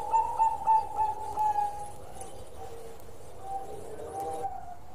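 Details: Zebra dove, Bangkok type, singing: a few bright coos open the passage, then softer, fading notes follow over steady background hiss.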